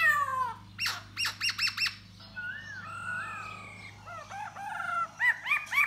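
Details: Singing to lure a female while dancing, a khướu da bò laughingthrush gives a falling whistled phrase, sharp repeated chips, soft wavering warbles and then bright rising whistles, all over a constant low hum.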